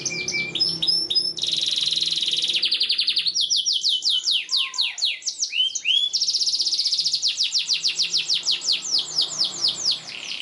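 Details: A canary sings a long, high, non-stop song used as a tutor for young canaries: rapid rolling trills and buzzy tours, switching between fast repeated notes and sweeping whistled phrases.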